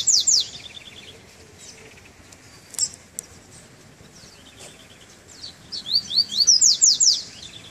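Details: Double-collared seedeater just out of moult, singing on its first outing in chilly weather: bright, high slurred whistle phrases open the passage, then a quieter stretch with faint chirps, then a rapid run of sweeping notes.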